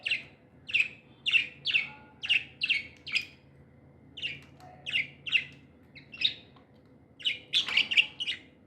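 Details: Tame budgies chirping happily indoors: a steady run of sharp, high chirps spaced roughly half a second apart, a brief pause, then a quicker cluster of overlapping notes.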